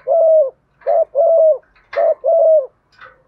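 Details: Spotted dove, a decoy bird, calling to draw wild doves and the flock in quickly: a series of five low, even coos about half a second each, with brief higher chirps between.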